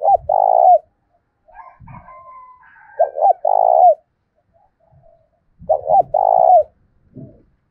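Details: Spotted dove used as a lure, with a 'thổ' style voice, cooing to stir other doves to call back. Three phrases of two quick hiccuping notes and a drawn-out mellow coo, with soft rustles and thuds between.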